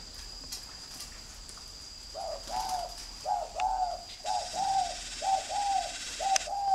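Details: A steady, evenly paced string of short coo notes from a spotted dove of the northern singing type, kept at a bird farm in Ba Vì, Hanoi, starting after two seconds, with a constant high whine in the background.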